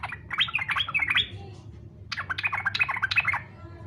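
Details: Fighter-style song of a yellow-vented bulbul, played to provoke other bulbuls into singing: two fast bursts of warbling, chattering notes separated by a brief gap, low hum behind.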